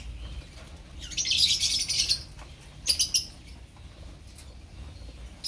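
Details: Opaline lovebirds in a colony giving shrill, high chirps in a dense burst lasting about a second, then a shorter sharp cluster, with faint scattered chirps and low background rumble between.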